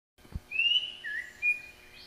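A songbird gives a brief run of clear, high whistled notes, a long slurred note and two shorter ones, after a soft low thump.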